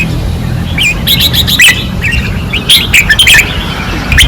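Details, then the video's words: Red-whiskered bulbuls sing fiercely on a training perch in 2024. Rapid, bubbling whistled phrases follow each other almost without pause, several birds overlapping above a low hum. "เสียงนกกรงหัวจุก ราวซ้อม ร้องอย่างดุเดือด"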